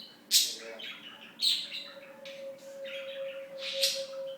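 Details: Talking domestic budgie, alive 2007 to 2016, producing three loud, bright squeaky notes woven into quick garbled warbling, against a steady electrical hum.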